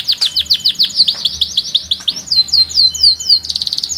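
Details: Loud canary song of rapid descending chirps, some falling sharply, then slower looping whistles and a closing dense buzzy trill.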